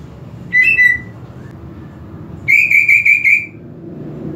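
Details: Greater green leafbird whistling as a provocation for an unaggressive bird: a single bright downslurred whistle, a pause, then a rapid run of about five ringing, evenly spaced whistled notes over faint low hum.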